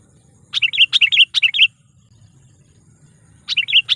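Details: A sooty-headed bulbul, kept as a trained lure bird, gives bright, bubbly whistled phrases of three or four quick falling notes, repeated in a burst and again after a pause; this lure call draws in and agitates wild bulbuls.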